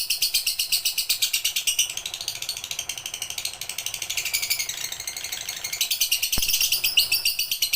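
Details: Lovebird singing in a full pigter style, recorded as training material: fast, rattling high-pitched chatter of clipped pulses that dips briefly in the middle, then resumes strongly, with one sharp click near the end.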